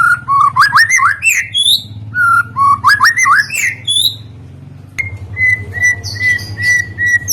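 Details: White-rumped shama song played to draw other shamas into singing: two rippling whistled phrases of rising notes, then a series of short level whistles repeated about once a second, with a low hum behind.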